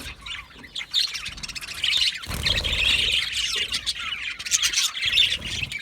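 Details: Budgerigars calling as a group: rapid overlapping chirps and warbled squeaks, quieter at first, then a loud continuous chattering chorus after a brief pause.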